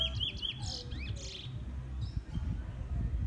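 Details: Brief opening phrase of quick, high slurred whistles from a caged first-black male Trinidad bullfinch, followed by a few scattered chirps and a low droning hum.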